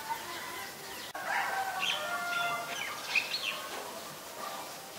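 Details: Black-collared starling (Black-collared myna) from Ubon Ratchathani, Thailand, on 17 April 2022, giving a jumble of harsh, grating calls mixed with short whistled notes, loudest midway, with faint background chirping.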